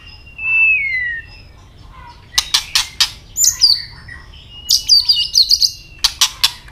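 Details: A white-rumped shama sings its fighting song with clicking tail flicks. A clear falling whistle opens, then rapid sharp clicks and very high, fast twittering trills dominate the rest.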